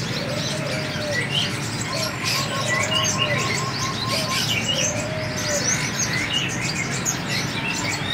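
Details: High, quick twittering chirps from a free-flying seven-coloured sunbird, several notes in rapid clusters, while a dove coos low and slow underneath and hiss fills the background.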